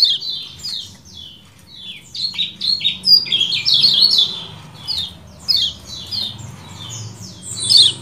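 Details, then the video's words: Lemon-bellied white-eye giving the 'ciak jos' call style for masteran training: a fast run of high, downslurred chirps that grows busier and louder midway, then continues in bursts over a low background hum. "MASTERAN AMPUH CIAK JOS KECIAL KUNING DURASI PANJANG"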